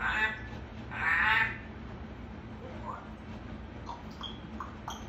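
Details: An African grey (Casco) talking parrot gives two short, voice-like utterances, harsh and nasal, then a few faint squeaks and whistled chirps over steady room noise.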